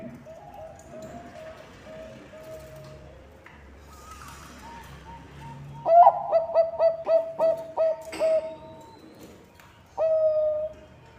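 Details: Bangkok-type zebra dove song played to lure other birds into singing: faint distant cooing at first, then a loud run of quick, evenly pitched coos ending in a long held note, and one more loud phrase after a pause.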